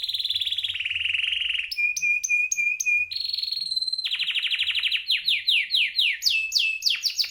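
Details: Male canary singing a long varied song: rolling high trill, crisp repeated clicking notes, sustained tone, then rapid chatter and descending sweeps, each section shifting abruptly.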